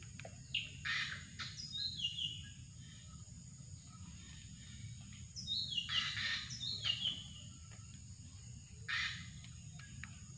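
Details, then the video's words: Drongo lure recording: harsh buzzy bursts and slurred whistles in three separate bouts across about ten seconds, scattered faint ticks between, with a steady high insect drone and low rumble. "mikat burung srigunting"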